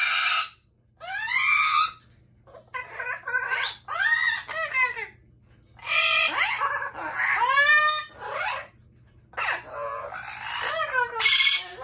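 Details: Loud screeching from pet Amazon parrots, a rapid string of grating squawks and arched, ringing screams, some rising sharply, packed with short gaps, a constant low hum in the background.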